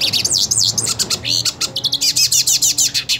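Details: A purebred hooded siskin ready to fight another siskin sings a rapid, tumbling string of high wavering whistles that gives way to evenly spaced sharp chirps, roughly six per second, over a faint low hum.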